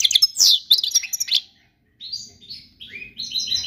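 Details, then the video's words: Goldfinch song for teaching young birds: about a second and a half of loud, fast twittering, a short pause, then clearer separate whistled notes, some rising and some gliding downward. "تغريد الحسون الملكي خالي من الاخطاء لتعليم الفراخ"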